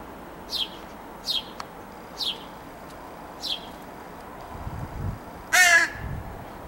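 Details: A young crow begs from its parents with one loud, harsh, nasal whine near the end. Before it, four short, high, descending chirps repeat about every second.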